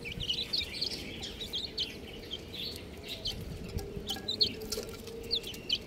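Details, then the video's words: Baby chickens chirping in a loose group, with bright, very high, clipped cheeps coming in irregular bursts, and a soft continuous hum underneath. "Amazing Little Chick Chirping Sounds"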